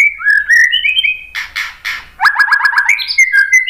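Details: White-rumped shama song meant to provoke other birds into singing: clear whistled notes rising and falling, three broad buzzy bursts, then a rapid run of six descending slurred notes and further whistles.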